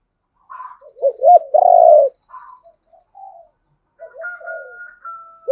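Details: Spotted dove, hen and cock birds, calling to goad a rival into fighting; two hooked notes and a long loud coo, then quieter murmurs and a long thin whistled tone.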